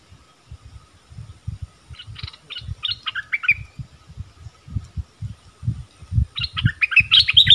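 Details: Yellow-vented bulbul song used as a decoy for wild birds: scattered bubbly chirping phrases that become denser toward the end, over constant low thumping and knocking noises.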